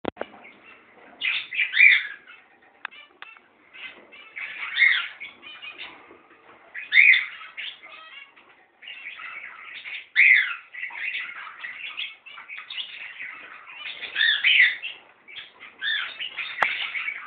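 Zebra finches give nasal, buzzy chirps and toy-trumpet notes in bursts, several birds calling together.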